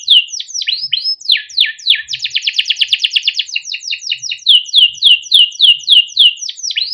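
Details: Kept young canary giving its long rolling song, played as a master for training juvenile canaries; downslurred whistles open into a dense fast trill, then evenly spaced sweeping notes repeated roughly three times a second.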